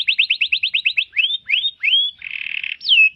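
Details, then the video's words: Canary singing a tutoring song for cage birds: a quick run of repeated rising chirps, a few longer slurred whistles, a dense buzzy rattle, and a final high note sliding downward. "Masteran kenari extrajos"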